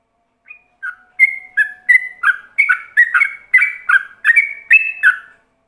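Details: Yellow-vented bulbul tutor song in ropelan style: two soft lead-in notes, then a steady, rapid train of loud, bubbling two-toned whistles, about three per second, ending abruptly.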